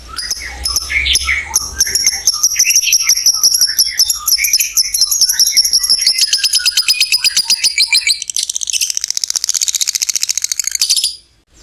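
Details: Long lovebird ngekek trill used to spur other lovebirds to sing: dense, high, rattling chatter sustained for about eleven seconds, mixed with squeaky twitters early, then a faster, harsher buzzing trill before stopping.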